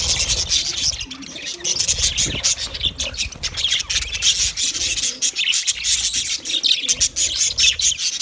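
Budgerigars chatter in a steady stream of high, scratchy chirps and warbles, a sound of contented birds.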